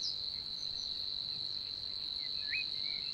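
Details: Continuous high, even buzzing reel of a Savi's warbler, recorded in June 2020 in Puszcza Niepołomicka forest, Poland; short whistled notes from other birds sound faintly behind it, one rising slur near the close.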